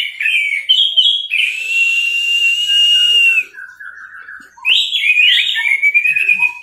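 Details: Orange-headed thrush, caged, giving teler-style tutor song: quick warbled phrase, then a sustained level whistle nearly two seconds long, a soft buzzy pause, and a further run of twisting whistles.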